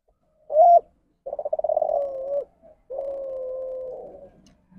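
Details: Spotted dove, deviant ndanglong call type. A loud, rounded coo comes first, then a stuttering burble that flows into a long hum, and finally an extended flat, low drone that slowly fades.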